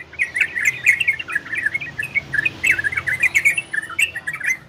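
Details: Orange-spotted bulbul singing in the ropel and garudo style, used to stimulate breeding condition in listening birds: rapid, busy chattering warbles of short slurred notes, tumbling up and down in quick bursts without pause, with faint sharp high ticks above.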